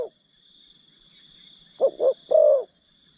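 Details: Spotted dove acting as a decoy to coax wild forest birds: one brief coo at the start, then, after a pause, two short low coos followed by a longer, drawn-out coo, with a thin steady high insect whine behind.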